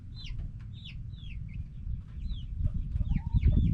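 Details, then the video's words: Backyard hens and roosters making a lot of noise: short, curved, squawky clucks come in quick, irregular bursts over a steady low rumble that grows louder toward the end. "Back yard chickens making noise🐓 Relaxing sounds of hens and roosters"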